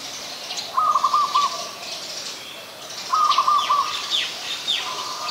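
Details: Stuttering, grating phrase from a white-vented myna, Ubon Ratchathani, Thailand, 18 January 2021, given twice about two seconds apart, with brief high chirps from other birds in between.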